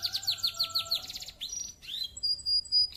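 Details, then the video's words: Canary singing with a clear voice meant to provoke rival birds, opening with fast repeated downward chirps, then a rising sweep and steady high whistled notes. "Suara Burung kenari Gacor , suara jernih bikin emosi lawan"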